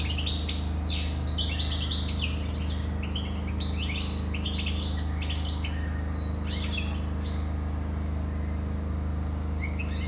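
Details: European goldfinch singing a lively run of bright, liquid twitters and buzzy trills for about seven seconds before falling quiet. A constant low hum sits beneath the song.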